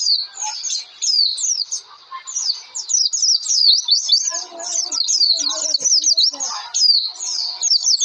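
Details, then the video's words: Lure song of an Oriental white-eye used to prompt birds into singing; a fast stream of high, zigzagging whistled notes, steady throughout, with soft lower chatter and a few clicks in the middle. "pleci gacor pancingan suara pleci"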